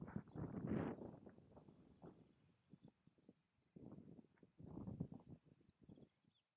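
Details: White stork (Ciconia c. ciconia) in Doñana National Park, Spain, in April 2011, bill-clattering: dry, wooden rattling bursts in several bouts over a few seconds, with a faint high whistle from another bird.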